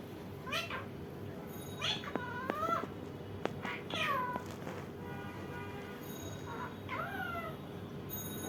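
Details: Indian ringneck parakeet uttering a series of bending, whining harmonic calls, some clipped by sharp clicks, with quieter broken notes later and a low steady hum behind.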